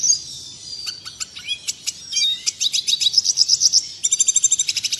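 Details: Tutor song of a red siskin for training caged birds, heard clean and clear: scattered high chips and slurred notes build into evenly pulsed buzzy trills, ending in a fast repeated ringing series.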